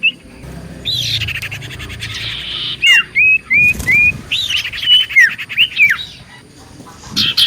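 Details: Common iora singing as a lure for other ioras: separate upslurred and downslurred whistles spaced across the phrase, with a soft buzzy hiss between notes.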